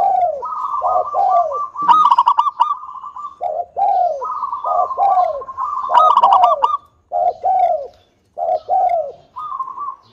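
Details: Local zebra dove giving its song as a lure for other doves: repeated phrases of short falling coos joined to rapid rolling trills, with brief gaps between phrases.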